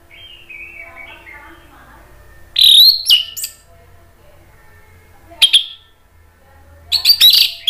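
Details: Orange-headed thrush lure song meant to make other thrushes answer and to cure birds that have gone quiet: soft low warbling at first, then loud piercing slurred whistles in three separated bursts with quiet gaps.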